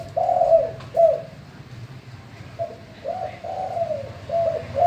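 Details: Spotted dove, described as a male, gives low, soft coos in short rolling phrases, a full cooing song meant to prompt other doves to call, over a faint low hum.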